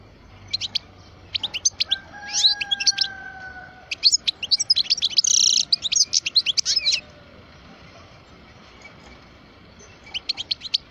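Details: Parva European goldfinch, twelve years old, rising into an intense run of rapid twittering and a buzzy rattle. Two faint, steady, low tones are heard early on, and a few thin chirps come after a pause.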